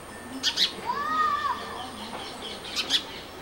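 A Brahminy starling gives a pair of sharp, high chirps, a smooth arching whistle, then two more chirps, over a faint background hiss.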